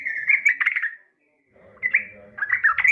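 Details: Yellow-vented bulbul female calling to a male: liquid chattering phrases separated by a short gap, with a soft low murmur underneath.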